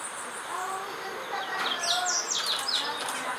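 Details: Purple-throated Woodstar at feeders at Montezuma Rainforest Lodge, Colombia, on 13 July 2019, giving quick, very high, thin chips and twitters in a short burst, over faint lower whistles and a steady background hiss.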